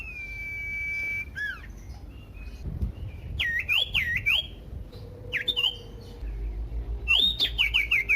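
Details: Common iora song used as a lure to provoke other ioras into singing: a long steady whistle, then quick swooping notes and a falling run of rapid whistled slurs near the end.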